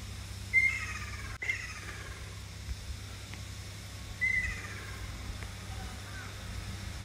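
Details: Ruddy kingfisher on Amami: two separate calls about three and a half seconds apart, each a sharp onset dropping into a descending trill, over quiet steady background hum.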